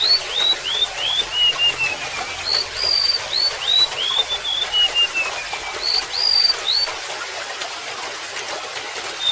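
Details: Golden-bellied gerygone singing high, sweet whistled phrases: upslurred notes falling in a descending series, repeated in several bursts with short pauses, over a steady trickle of running water.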